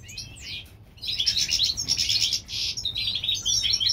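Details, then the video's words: European goldfinch hybrid singing in springtime, California-bred: a few sliding whistled notes, a short gap, then dense high twittering bursts and buzzy trills in quick succession. "European gold finch Hybrid/ The Spring time."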